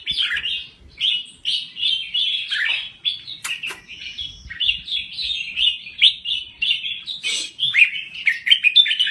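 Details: Red-whiskered bulbul of Thai stock singing hard: rhythmic, repeated warbling phrases, each a rolling chatter, flowing almost without break, interrupted by a couple of sharp clicks.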